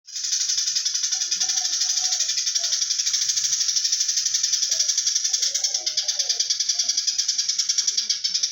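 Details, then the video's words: Eurasian tree sparrow singing in the rapid koslet style, kept as tutor audio for white-rumped shamas: a dense, buzzy, continuous rattle of fast regular pulses running throughout, with faint low chirps beneath. "BURUNG GREJA GACOR KOSLET"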